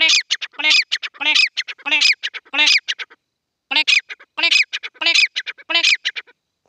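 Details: Grey francolins playing and fighting give loud, harsh, ringing calls in rapid clustered phrases, two bouts of about five phrases each, separated by a short pause.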